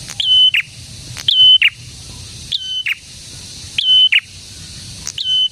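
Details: Prinia song used as a lure for other prinias: high, metallic phrases with a flat whistled middle and buzzy ending, repeated about every 1.3 seconds, over faint low background hum.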